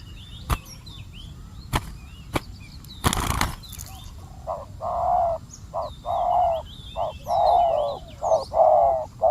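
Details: Spotted dove calling in a decoy trap set for wild doves; clicks and a rustling burst come first, then a run of deep, hoarse coos in short and longer notes, with high chirps of other birds.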